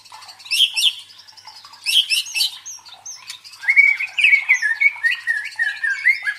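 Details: White-rumped shama song used as a provoking sound for fighter birds: two loud harsh chattering bursts, then a lively series of short whistled notes repeated rapidly.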